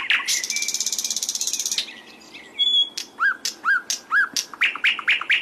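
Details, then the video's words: Flycatcher song from a masteran recording used to train caged songbirds: a fast buzzy rattling trill, then a thin whistle and a series of sharp rising chirps and slurred notes repeated about twice a second. "SIKATAN LONDO MASTERAN PALING DI CARI BURUNG JUARA"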